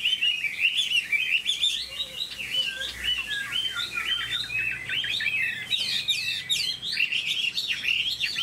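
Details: Captive Chinese hwamei, a tame hobbyist's bird, in full song: a dense, fast stream of varied whistled and chattering notes, with sharp upward flicks and trills sustained for eight seconds.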